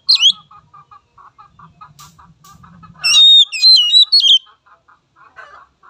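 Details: Oriental magpie-robin song played to train young birds. A steady series of soft, dry ticking notes runs throughout, broken by one loud burst of varied, twisting whistled phrases lasting over a second, with a low murmur beneath.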